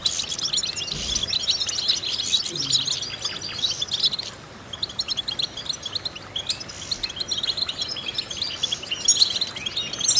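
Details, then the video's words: Vocal exercise recording to stimulate goldfinches: a long run of high, liquid twittering and chirps, easing briefly around the midpoint before picking up again. "important vocal exercises necessary to stimulate goldfinches"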